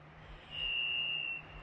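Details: Varied Thrush song heard from the woods at a campsite, which a camper feared was a predator: a single eerie, slightly buzzy whistle held on one high, steady pitch for about a second, over faint low hum.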